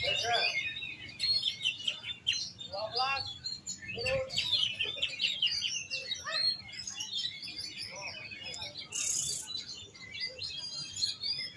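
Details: Oriental magpie-robin in continuous song, a busy medley of high whistled phrases, quick chirps and rattling trills, delivered in short bursts with brief gaps; faint voices and a brief hiss heard once.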